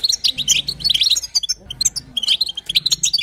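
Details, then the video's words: European goldfinch female batbata chatter meant to make a male sing: quick clusters of bright, tinkling, buzzy twitters in three bursts, with a soft low drone beneath. "بتبتة وستسته حسون تجعل الحسون يغرد فقط اسمعه اذا لم يغرد حسونك اثنى"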